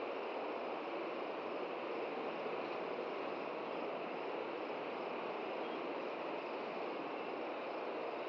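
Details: Steady broadband rushing like wind or distant traffic fills the whole recording, and no animal calls stand out.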